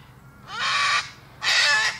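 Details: Two loud, rough cockatoo screams, each about half a second long and separated by a short pause.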